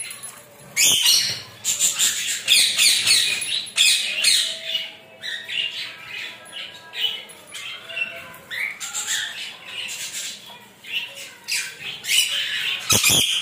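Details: A showering rainbow lorikeet enjoying itself, letting out a long run of rough, screechy squawks in clustered bursts, pausing briefly now and then, over a steady hiss of running water.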